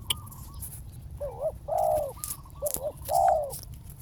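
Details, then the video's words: Spotted dove used as a decoy on the ground to call a wild dove down: two cooing phrases, each a wavering double note followed by a longer, louder drawn-out coo, with faint background noise. "เสียงนกเขาใหญ่ ต่อ นกเขาใหญ่ EP9 นกเขาใหญ่ต่อดิน"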